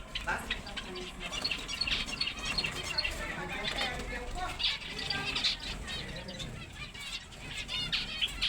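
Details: Busy chorus of finches: quick bright chirps and little twittering phrases packed closely, several birds calling at once over a steady low rumble.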